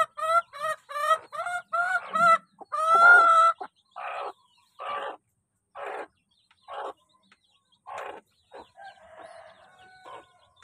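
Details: Chickens in a crowd at feeding time: a loud run of short, harmonic, slightly bending calls, then a slower series of separate clucking notes with quiet gaps, ending in fainter, rougher calls.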